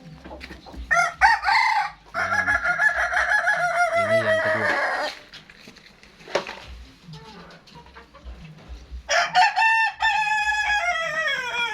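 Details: Kokok Balenggek rooster from West Sumatra, a first-generation offspring from an arranged mating that yielded a clutch of seven eggs, gives long harmonic crows, a sustained one near two seconds long and a second rising-then-falling crow, with a man talking between.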